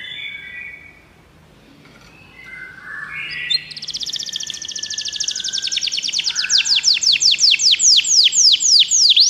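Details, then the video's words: Canary song aimed at getting a pet canary to sing: soft warbled notes over faint background hiss. A long rattling trill starts midway and swells into sharp repeated downswept whistles, growing steadily louder. "seu canário vai cantar muito"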